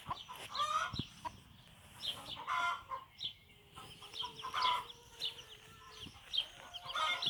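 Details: Bantam mother hen with chicks stepping outside for the first time in a backyard; soft chick peeps and brief rough clucks come in clusters, with a low steady hum-like tone running through the middle seconds.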